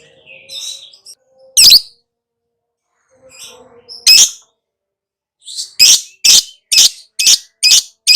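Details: Lovebird giving a chattering song: soft twitters and two isolated sharp squawks, then a quickening series of six harsh, buzzy notes about two per second.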